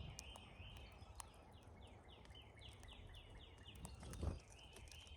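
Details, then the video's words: Cowbirds gathered in numbers at a feeder during migration; a quick run of about eight sharp, downslurred chip notes in an even series, with faint background twitters and a soft low thump near the end. "Love the funny sound cowbirds make!"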